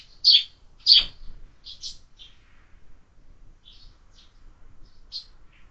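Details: Sparrows feeding at a feeder fixed to a window, fed all year: two loud sharp chirps up front, followed by scattered softer high tweets at irregular intervals against a quiet indoor background.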